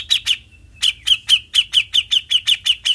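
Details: Bearded bulbul in besetan song: after two opening notes and a short pause, a steady string of crisp, downward-flicking chips follows, spaced about five per second.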